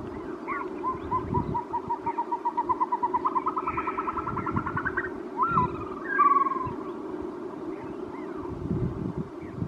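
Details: Caspian snowcock delivering a gradually accelerating string of short whistled notes that climbs slightly in pitch, ending in a long wavering whistle, with low rumbling noise throughout.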